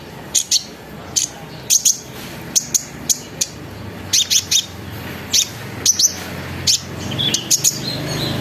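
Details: Olive-backed sunbird (konin) lure song, described as twittering, rolling and sharp high-pitched singing, meant to prompt other sunbirds to sing; bright, thin, high chips repeated in quick clusters with short gaps, over a faint low hum.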